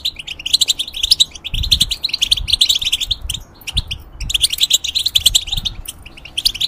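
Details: Caged European goldfinch during molt singing two long phrases of fast twittering chirps and trills with a brief pause between, faint low thumps beneath.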